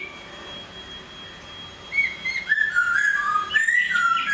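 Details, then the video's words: Caged hwamei in moult: a thin steady tone at first, then from about two seconds a string of clear whistled notes sliding downward and upward, growing louder. "Hoạ mi hót khi đang thay lông"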